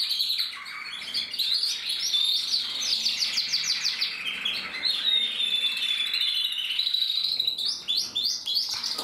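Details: Mosaic canaries from a German canary breeding, 2024, sing a busy overlapping chorus of high buzzy trills and quick repeated chirps, with a brief thin whistle midway.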